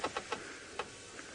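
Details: Parrots screeching at sunrise, around 5:30 am, from a thicket, possibly a camphor tree, in the Mara on 29 October 2017: short, harsh, clipped screeches, three quick notes then two more spaced about half a second apart.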